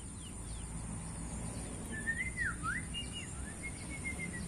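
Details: Tame sooty-headed bulbul singing soft, liquid whistled phrases that swoop down and up, with a few faint higher notes, over steady low rumbling background noise.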